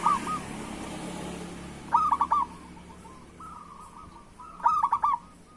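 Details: A local zebra dove sings a lure song used to prompt lazy doves to sing. Two loud stuttered coo phrases come nearly three seconds apart, with quieter drawn-out rolling coos around them.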